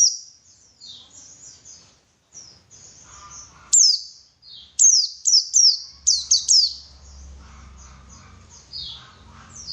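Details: White-eye song used to lure other birds into singing: thin, high twittering trills, then a run of sharp, piercing downslurred whistles with short gaps between them, over a quiet, faint low hum.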